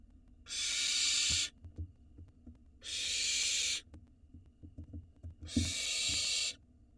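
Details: Nestling barn owls on an Israeli nest cam begging loudly when the male arrives with food: three long breathy screeching hisses, each about a second, spaced roughly two seconds apart, with low thumps and scratching in between.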